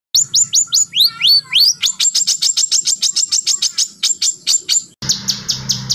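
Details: Fired-up white-rumped shama song from a training recording: a run of quick downslurred whistles, then rapid repeated high ticking notes, with an abrupt splice and low hum at the end.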